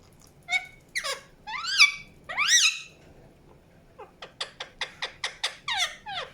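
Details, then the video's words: An Indian ringneck (rose-ringed) parakeet gives harsh, squeaky chirps: first a few slurred rising-falling screeches, then a quick run of about ten short, sharp notes. "PARROT CHIRPING SOUNDS | NATURAL SOUNDS PARROT CHIRPING"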